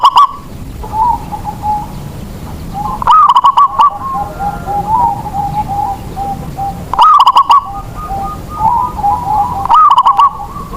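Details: Rhythmic song of a local zebra dove, used to prompt others to sing: loud, pulsed rolling phrases recur every few seconds, separated by quieter cooing from nearby doves.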